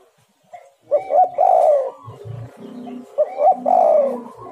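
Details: Spotted dove coo used as a lure for wild doves: two phrases of quick short notes leading into a drawn-out rolling coo, with a low humming drone and faint higher whistles in between.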